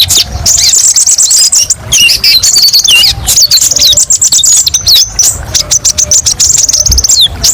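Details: Olive-backed sunbird (kolibri ninja) singing varied sharp 'tembakan' bursts used as master song for training; dense high, thin whistled trills and rapid slurred notes, continuous with brief pauses, faint low rumble beneath.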